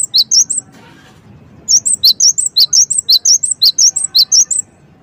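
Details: Cinereous tit (gelatik wingko) lure song meant to provoke other birds into answering: a short burst of high, sharp notes, a pause, then a fast run of alternating high whistled and lower chevron-shaped chirps, with faint low background hum.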